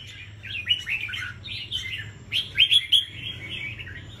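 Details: Rack singing competition of caged red-whiskered bulbuls, Dak Lak province, Vietnam: quick chattering and whistled phrases from more than one bird, a loud cluster of sharp ringing notes near the end, faint low background hum.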